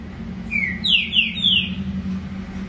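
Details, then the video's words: Green-winged saltator kept by a bird breeder, singing a loud phrase of four rich whistled notes, each sliding downward, delivered rapidly, with a constant low electrical-sounding hum underneath. "TRINCA-FERRO LINDA CANTORIA"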